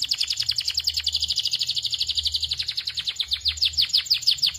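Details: Belgian canary delivering a sustained rapid trill of high repeated notes, steady and rhythmic, growing slightly slower toward the end.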